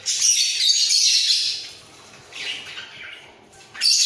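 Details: Two budgerigars kept in a breeding cage sing while nodding their heads. A long, loud chattering warble at the start fades into softer twittering, then a sharp burst returns at the end.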